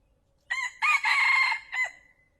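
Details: Male red junglefowl crowing, a call used to lure wild fowl into traps: a short rising opening note, then a long strained harmonic crow about half a second long, ending in a brief falling tail note, on a quiet background.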